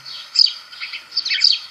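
House sparrow giving short, bright chirps in two quick bursts, the second a rapid cluster of cheeps, with faint background hiss.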